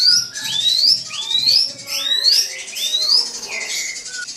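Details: Drongo song meant to provoke a rival bird: clear whistled notes sweeping upward, repeated about once every second, with lower short whistles between them and a faint low hum underneath.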